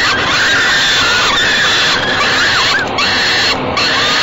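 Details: Falcon chicks begging as their mother feeds them in a nest box at Great Spirit Bluff, 28 May 2013, around 6 pm; thin, drawn-out harmonic wails that waver and dip, with brief breaks and a steady background hiss.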